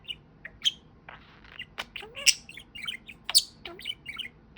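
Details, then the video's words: A talking pet budgie delivers a run of chirpy, scratchy syllables and short squeaks, with brief breathy, speech-like phrases between sharp high notes, uneven spacing, in a quiet indoor setting. "Talking Parakeet"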